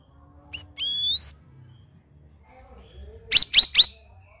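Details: Black-crested bulbul in lively song: a bright whistled note sweeping upward, then three sharp, high, ringing chips in quick succession near the end, with faint low background hum.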